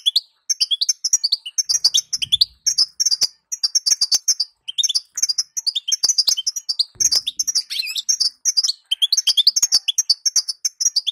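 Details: European goldfinch hen calling to set males singing: bright high twitters in rapid chains, some descending slurred notes, clusters broken by short pauses, plus faint low rustles and sharp clicks.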